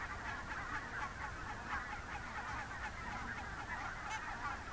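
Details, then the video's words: Thousands of wild Barnacle, Greylag and White-fronted geese flying in the morning from IJsselmeer roosting shallows to feed in fields near Gaast, Netherlands, October 2015: dense chorus of overlapping nasal honks over a steady low rumble. "Thousands of wild geese flying"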